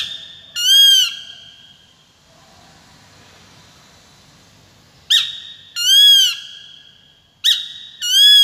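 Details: A peregrine falcon's grating calls: a sharp onset note and an arched, harsh drawn-out wail, first singly, then after a quiet stretch of soft rustling, two more call pairs in quick succession.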